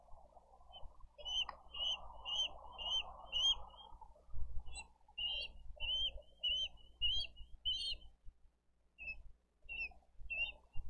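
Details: On a Dade County nest on 20 April 2023, a bald eagle chick begs for food beside its siblings: a long run of sharp, high, squeaky chips, several per second with short pauses, and low rustling underneath. Recorded by nest camera.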